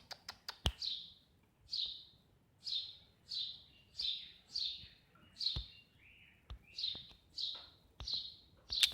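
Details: Eurasian tree sparrow repeating a single bright, high chirp that slurs downward, about thirteen times at intervals of roughly half a second to a second, with a few sharp clicks at the start and in the middle.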